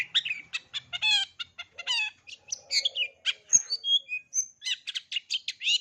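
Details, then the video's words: Long-tailed shrike pouring out a full repertoire for young birds to learn: rapid ringing chirps and buzzy bursts, followed by clear high whistled notes that drop in steps. "Cendet isian lengkap, COCOK untuk CENDET MUDA belajar BUNYI, JITU dan GACOR"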